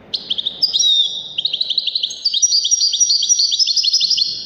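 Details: Goldfinch singing as a tutor recording for young goldfinches and hybrids, a continuous rapid twittering of high liquid notes with a brief drawn whistle early on, rhythmic trills pulsing several times per second.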